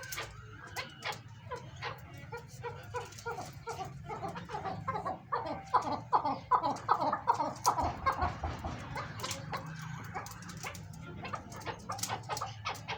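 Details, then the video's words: Captive chukar partridge, kept as a big-sized breeding pair, calling in a long run of rapid clucking chuk notes that build and swell toward the middle, with background hum and faint other noises. "second chakor masti and my breeding pair big size chakor"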